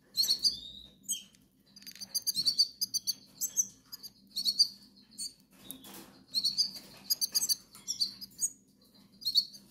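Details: Canary Islands goldfinch chicks beg for food with piercing, overlapping high chirps in repeated bursts roughly every two seconds, some rustling of movement between them, over a faint low hum.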